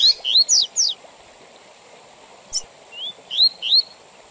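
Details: Double-collared seedeater song, Tui Tui Zel Zel style, for teaching young birds and for tournaments: a fast burst of descending high slurs, a long pause, then rising whistled notes resuming, with a constant thin high tone underneath.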